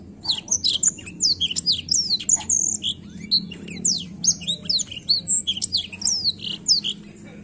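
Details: Black-throated canary in continuous rolling song used to provoke young birds: an unbroken stream of rapid, high, twisting whistles, chirps and buzzy slurs, steady across the whole stretch over a low hum.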